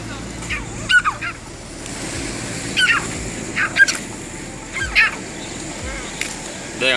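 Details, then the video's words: Grey francolin (tetar) fighting in Punjab; harsh, stacked calls in short bursts roughly every second, some rising and falling, over a steady low background hum. "Fighting grey francolin in Punjab must watch tetar ki ladai"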